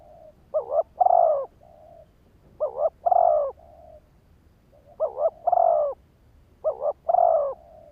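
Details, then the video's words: Spotted dove decoy bird calling to provoke wild males, repeating a stuttered double coo plus a longer drawn coo four times, with soft murmured coos between phrases. "Tiếng chim cu gáy kích bổi"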